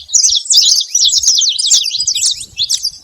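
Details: Noisy saffron finches gathered at a feeder give quick bursts of bright, high chirps, roughly two notes a second blending into a continuous twitter, with light low bumps at the end.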